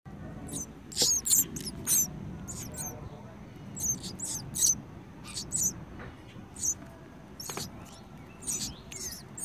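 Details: House sparrow nestlings in a birdhouse chirping for food: high, thin, buzzy squeaks in quick clustered bursts about every half second, over a low steady background rumble.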